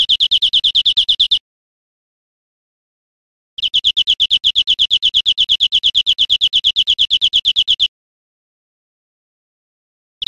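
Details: Spanish recording from 2013 of a European Greenfinch producing long rolling trills of rapid, slightly buzzy repeated notes, separated by pauses, the second phrase running over four seconds.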